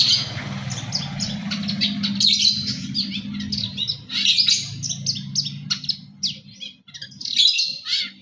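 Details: Long-tailed shrike singing energetically with a full repertoire: a busy stream of harsh chattering and scratchy varied notes over a steady low hum.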